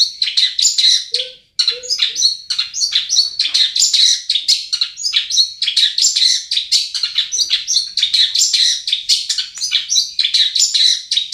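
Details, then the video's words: Long-tailed shrike from Pamekasan, Madura, a kept songbird, pours out a fast, unbroken run of sharp, chattering and scratchy notes, high-pitched and varied, with only one brief pause early on. "Suara Cendet Bomber"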